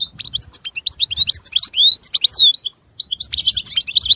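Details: Short European goldfinch passage of varied chirps, slurred whistled notes and quick twitters, loosely spaced and rising to a few clear, sweeping notes.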